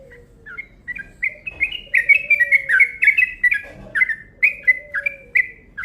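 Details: Yellow-vented bulbul used as a lure, in a long quick 'ropel' burst: chattering chirps rising and falling in a hurried run, accompanied by a quiet low gliding tone twice.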